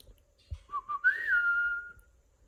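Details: Pet cockatiel indoors giving a short whistled call: two brief low notes, then a longer rising and gently falling whistle lasting about a second, in a quiet small room.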